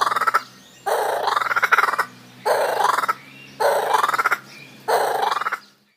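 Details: Laughing kookaburra call, likened to echoing human laughter: five bursts of rapid, rattling, cackling notes, each about a second long, rising and falling, separated by short pauses, with a low steady hum beneath.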